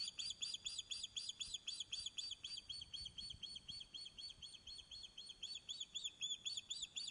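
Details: Nesting Osprey at Loch of Lowes in Scotland, recorded by webcam while fish-calling: a continuous, fairly regular stream of shrill arched chirps, roughly four per second, throughout.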